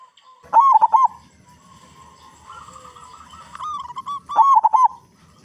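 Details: Local zebra dove with a big voice, a lure to make other doves sing; two bursts of rapid rolled, bubbling notes at the start and end, with a faint sustained tone between them.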